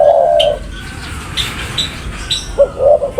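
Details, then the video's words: Spotted dove giving a long low coo, then a quiet gap with faint high chirps from other birds, ending in short soft coos. "Burung Tekukur Paling Gacor"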